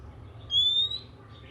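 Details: A single clear, slightly rising whistle, about half a second long, from an oriental magpie-robin singing in the morning, a song said to stimulate other magpie-robins to sing. A low hum runs underneath.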